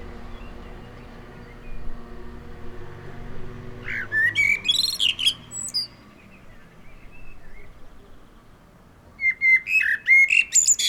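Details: Blackbird in the wild: after a quiet stretch of low rumbling background, a fluted phrase ends in high squeaky twitters, then a pause and another warbling burst near the end.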